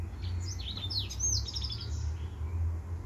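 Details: Male white tip finch singing a short, fast phrase of high twittering notes and falling slurs, ending in a quick run of repeated ticks, with a low hum behind.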